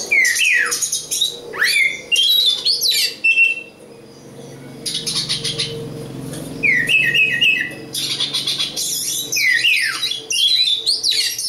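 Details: East Java local Oriental magpie-robin in nearly continuous song, mixing loud upslurred whistles, sharp sweeping notes and harsh rasping phrases, with a short dip in the middle; faint low hum underneath.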